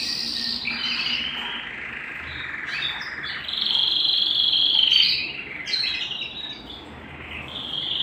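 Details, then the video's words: Canary singing at home: continuous high, rolling warble with fast repeated notes, a long sustained whistled trill in the middle, then scattered chirps, over a soft steady background hiss. "canary singing at home"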